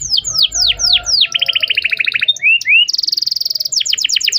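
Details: Canary in long, continuous song, used as a lure to teach a young canary to sing: steep whistled downslurs, then rapid buzzy trills, two short rising notes and a high fast rattle, ending in repeated falling sweeps.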